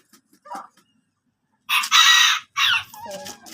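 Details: Chickens: a few faint clucks, then a loud, harsh, noisy squawk lasting almost a second, followed by a shorter harmonic cry and a wavering, tonal tail.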